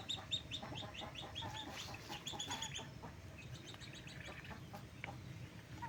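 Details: Flock of backyard chickens at daytime feeding, a busy overlapping chatter of short high peeping and clucking notes, fading toward the end over a low rumbling background.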